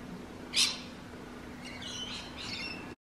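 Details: One loud, harsh rainbow lorikeet shriek early on, followed by softer scratchy squawks, with a low continuous hum in the background.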